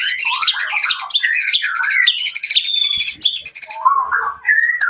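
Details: Jakarta white-rumped shama pouring out a dense, varied song of fast chatter, sweeping whistles and harsh trills, easing after about four seconds into lower, mellower warbled notes.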